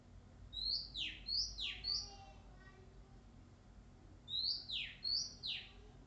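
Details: Shy wild Oriental magpie-robin keeps singing: a run of four high whistle-and-buzzy-downsweep phrases in quick succession, a pause with faint murmuring, then three more phrases.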